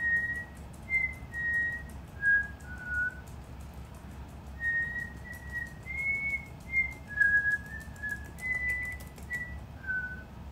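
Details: Indoor pet cockatiel practising a tune it is learning note by note: a string of short, clear whistled notes at slightly shifting pitches, spaced about a second apart, over a quiet room hum.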